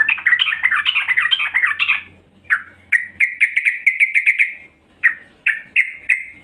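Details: Calling female yellow-vented bulbul luring males: a two-second warbling chatter, then a pause and a run of rapid repeated chirps, followed by three short separate bubbly phrases.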